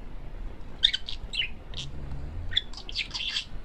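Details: A male pet parakeet talks and chatters in quick scratchy bursts of high chirps and warbles, rising in a busy run near the end, with a faint low hum beneath.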